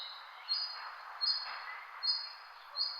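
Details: Birds chirping: short, high, flat whistled notes repeat about every three quarters of a second, four in all, over a steady wash of softer background chatter.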